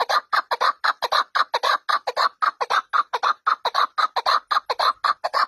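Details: Partridge kept at home giving a rapid series of harsh, raspy notes, about three per second, evenly spaced and steady in loudness throughout.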